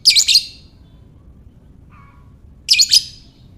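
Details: Lovebird giving a lure call to draw out other lovebirds: two loud, raspy, high-pitched bursts about two and a half seconds apart, each a rapid stutter of notes, with a faint thin whistle in the gap.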